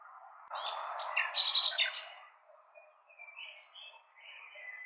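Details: Nightingale song: a loud burst of buzzy, rattling notes and whistles, followed by softer, scattered whistled phrases over a low steady hum.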